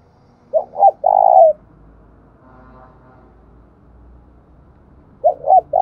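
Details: Spotted dove giving challenge and calling coos in the hills and forest of Đồng Nai, Vietnam. Two three-part phrases about 4.5 seconds apart sit over a steady low rumbling background.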